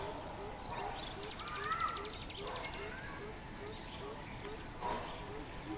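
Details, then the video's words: Greater coucal on 13 June 2020, a soft series of deep hoop notes running steadily through the recording while another bird gives a fast rattling trill and scattered chirps. "Greater Coucal [អែអូត]"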